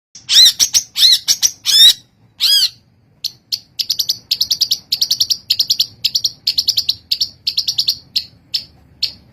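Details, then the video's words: Long-tailed shrike (Lanius schach) singing: a few loud harsh rasping notes, then a fast run of sharp, high chattering notes repeated about once every third of a second. "KICAU BURUNG CENDET GACOR DOR ROLLTEMBAK"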